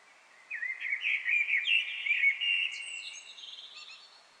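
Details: A Eurasian Blackbird sings from a chimney edge in a Paris apartment courtyard: one rich, fluty warbled phrase of about three seconds breaking into thin, high twittering, reverberating as it echoes in the courtyard.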